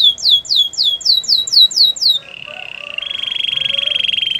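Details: Spanish Timbrado canary singing: about eight loud whistled notes sweeping downward, repeated quickly and evenly, then a flat rapid trill, then a higher, metallic, rattling roll held to the end.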